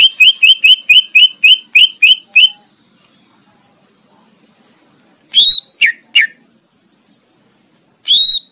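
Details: Greater green leafbird song used as a tutor recording for training competition songbirds: about ten quick, evenly spaced whistled notes, then a pause and a few louder, sharply downslurred whistles, with a final clear note.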